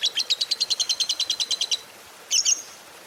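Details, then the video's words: Fighter lovebird singing: a quick series of high scratchy chatter notes lasting under two seconds, then a pause and a short, sharper squeaky burst at the end. "Pancingan Suara Lovebird Gacor Fighter"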